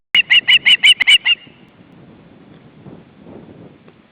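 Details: At an Estonian eagle nest where the male delivers a fish to a chick, a quick string of about seven high, yelping notes rings out, followed by quiet rustling.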